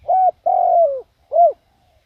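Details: Decoy spotted dove calling to lure wild doves: three low hollow coos, the middle one long and drawn out with a slight downward slur, the last short and rounded.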